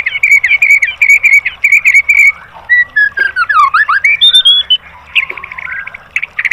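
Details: Tembakan-style master song of a white-rumped shama for training caged birds: a bright whistled phrase repeated four times, then swooping up-and-down slurs and high rising whistles.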